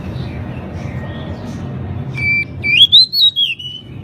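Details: Pied bushchat song for training cage birds. Low background noise comes first, then a flat whistle and a rising, arching whistled phrase that falls away.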